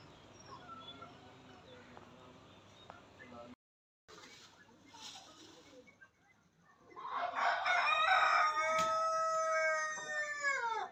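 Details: Dancing peacock calling: after soft rustling and a short dropout, a loud, drawn-out nasal wail with stacked harmonics sounds for about four seconds, its tones bending downward as it fades.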